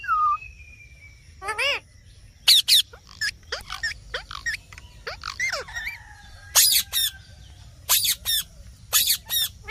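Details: Green parrot giving scattered calls: thin whistles, curling tonal notes and several sharp harsh squawks in clusters, with a faint steady hum behind.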